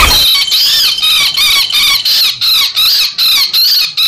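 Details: Common flameback distress and fighting screams used as a lure: shrill, buzzy, arched squeals repeated in rapid bursts of about three per second.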